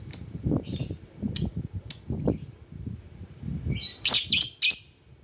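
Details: Lovebird calling to lure rivals: four clear, high, clipped chirps at even spacing, then a cluster of harsher, louder squawky notes, with low rumbling behind.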